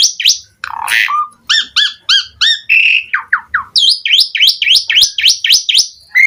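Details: Asian pied starling in gacor full isian song with mompa posture: harsh squawks, buzzy repeated notes, slurred whistles and a fast series of sharp upward-flicked notes.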